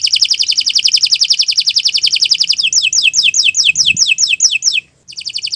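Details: Canary singing as a tutor for other cage birds: a long, fast, loud trill, then a run of quick descending whistled notes, a brief pause, and the trill resumes.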